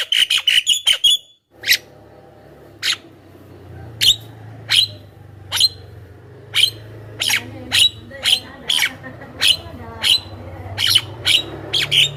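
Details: Javan myna lure song: a quick burst of clicking notes, then single sharp chirps spaced about half a second to a second apart over a constant low hum.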